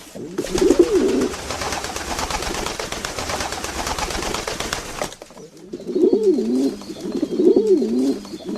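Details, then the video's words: Domestic pigeons giving low, bubbling coos, a short burst at the start, then a loud broad rustling or flapping noise for several seconds, followed by two more rolling, wavering coos. "Sounds of pigeons.Domestic pigeons - Pigeon Sound Effect."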